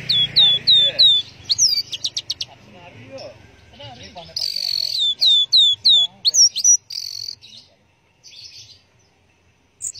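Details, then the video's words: Orange-headed thrush repeating sharp downslurred whistles in quick runs, mixed with buzzy bursts and clicks, then falling quiet near the end. "Burung Anis Merah Teler"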